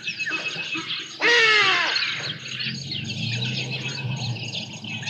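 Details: Juvenile Black Sparrowhawk looking for food at Djuma Private Game Reserve, 5 January 2024, live cam: a single strong, drawn-out wailing squeal that slides downward and fades over nearly a second, with smaller birds twittering before and after.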